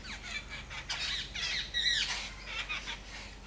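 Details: Birds calling outdoors once a long spell of rain has stopped: harsh, squawky chirps with rising and falling strokes, dense and overlapping through the whole stretch, loudest near the middle, over a steady low hum.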